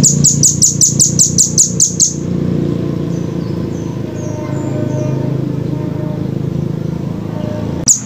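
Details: Velvet-fronted nuthatch, a clear training recording: a rapid run of about ten sharp, very high chips, roughly four per second, for two seconds, then a low rumbling background like distant traffic and a faint chip at the end.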